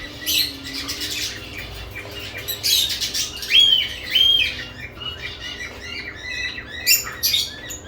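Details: Lovebirds with new nest boxes give scattered high chirps and a few clear rising whistled notes, with brief squawky bursts between quieter stretches; faint room hum in the background.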